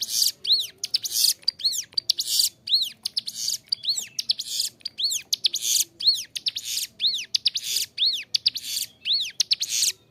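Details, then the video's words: Bar-winged Prinia singing strongly and cleanly, recorded as a master track for caged birds; over ten seconds, evenly spaced arched whistles alternate with loud scratchy buzzes at about one per second. "Ciblek gunung gacor suara jernih, cocok buat masteran"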